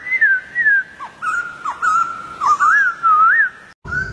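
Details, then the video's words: Whistled phrases from a wild White-crested Laughingthrush, with wavering, looping notes and short downward flicks, ending in a brief cutoff. "Poksay jambul liar"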